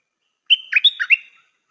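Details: Decoy Stripe-throated bulbul singing one short, clear phrase: an even whistle opening, then a burst of warbling notes that swoop down and back up, lasting under a second, heard against silence.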